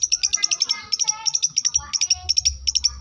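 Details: Long-tailed shrike from South Malang singing imitated lovebird and canary phrases: very fast bursts of shrill, high chirps in tight clusters, briefly pausing, then resuming; faint low rumble underneath.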